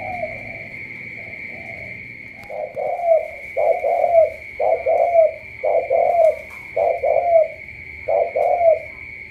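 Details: Cà Mau spotted dove uttering a soft coo or two, then a steady series of about eight paired hollow coos, each pair ending in a slight upward lift, against a thin continuous electronic hum.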